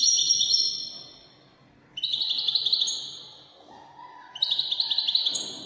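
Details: Moroccan Wydani-style European goldfinch song: high shimmering trilled phrases, each slowly falling and fading, separated by short gaps, with a faint lower whistled tone between bursts.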